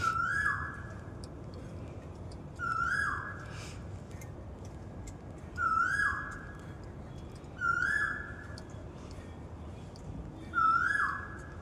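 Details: Asian koel in a Janakpur park repeating its rising whistled song five times at steady intervals of about two to three seconds, each note swooping up then down, against quiet hiss and light high-pitched calls of other birds.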